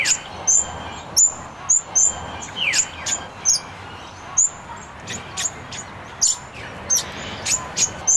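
Double-eyed fig parrot giving thin, very high, sharp single notes, repeated at an irregular pace of one or two per second, with faint background hiss.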